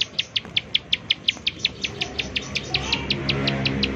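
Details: Bar-winged prinia call used as a lure for other prinias: rhythmic high sharp chirps, about three per second, fading somewhat toward the end as a low rumbling background grows.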